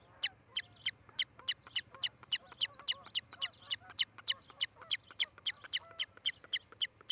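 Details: Nesting osprey couple in Charlo, Montana, filmed by a nest cam on a July 2018 morning; loud, shrill, whistled cheeps repeated rapidly and evenly, about three or four each second, with faint softer notes underneath.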